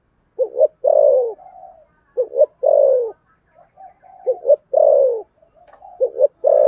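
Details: Spotted dove with the thổ sấm voice style, hurried cooing: repeated phrases of a double stutter plus a long down-slurred coo, joined by quiet murmuring notes, ending on a fresh stutter.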